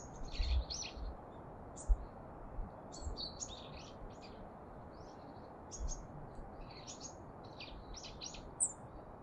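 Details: Daurian redstart at Kasai Rinkai Park, recorded with a camera-mounted shotgun mic: scattered thin, high chirps and short twittering notes across the clip, with a few low thumps of handling noise.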